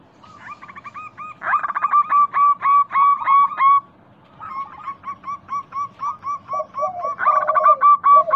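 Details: Local zebra doves (perkutut) sing a lure song meant to set other doves calling, for morning, midday, evening and night. It is a rapid series of clipped, nasal coos, several birds overlapping and rising and falling in bursts.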